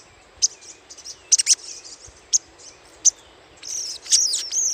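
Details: Little spiderhunter chatter for luring: spaced, sharp, high single and double chips, ending in a quicker twittering burst over a faint continuous high tone.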